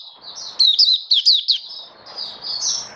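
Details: Oriental white-eye kept as a hobby bird, October 2022: a handful of loud, high slurred chirps in the middle, framed by softer thin twittering and a low background hiss.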